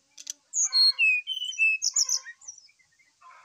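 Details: Brown-chested jungle flycatcher singing vigorously in the morning as a lure song: a rich sequence of clear whistled notes, sliding between high and middle pitches, mixed with lower warbling and ending in faint chatter.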